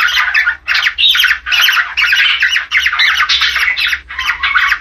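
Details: Falk budgerigar mating chatter, meant to spur pairs toward breeding: a loud, almost continuous stream of scratchy, squawking warble phrases broken by brief pauses roughly every half second.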